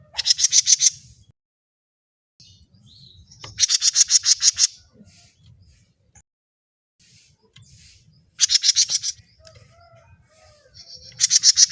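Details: Grey-cheeked bulbul, a lure recording for attracting birds. Loud rasping bursts of about seven to ten quick harsh notes come roughly every three to four seconds, with faint thin calls and a low background rumble between them.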